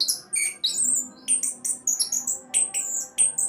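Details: Orange-headed thrush from Indonesia singing in the fast 'roll' style, used as a lure to get other birds singing: short, separate, varied high whistled and buzzy notes, some sliding down, with brief gaps between phrases.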